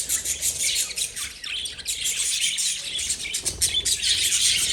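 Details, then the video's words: Several lovebirds chirp rapidly together, a thick, buzzy stream of high twittering notes tumbling over one another. "Love Birds Sound Relaxation"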